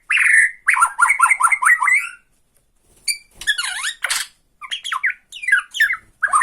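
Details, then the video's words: Shama from Borneo singing tretekan to bait other shamas: a fast chain of rising chirps, a brief silence, then harsh rasping rattles and sharp zigzag whistles in choppy, uneven phrases. "BIKIN EMOSI LAWAN || TRETEKAN MURAI BORNEO MANCING MURAI LAIN"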